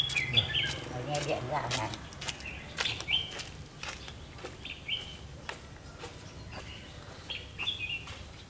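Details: Red-whiskered bulbul, 'mí lửa' type, heard during trapping on 31 October 2016: several quick whistled phrases scattered through the recording, mixed with frequent sharp clicks and rustling noise.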